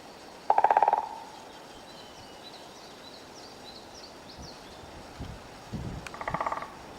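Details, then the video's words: A woodpecker in a forest drums two quick rolls of rapid knocks, each about half a second long and several seconds apart, with faint high bird chirps in between. "Стук дятла в лесу"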